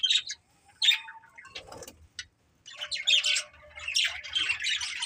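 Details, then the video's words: Two budgerigars of a breeding pair give short bright chirps, then a quiet stretch with a low rustle, before warbling chatter with squeaky notes swells up. "Beautiful Budgies Chirping Sounds"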